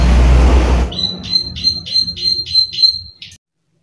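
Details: Plain prinia, called prenjak sawah, kept as a lure bird that calls readily, giving its 'klik klik' call: after a second of loud low rumbling noise, about eight sharp high clicking notes follow roughly three per second, then stop.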